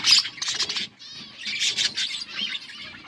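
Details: Budgerigars chirping while eating; harsh, buzzy chattering bursts in quick clusters, a loud scratchy burst at the start, then a softer run of warbled notes and scratchy squawks.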